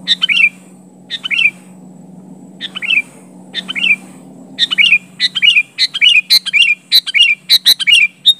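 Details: Sooty-headed bulbul calling against a rival: spaced single bubbly phrases at first, then speeding into a rapid burst of repeated liquid chirps toward the end, with a steady low hum behind.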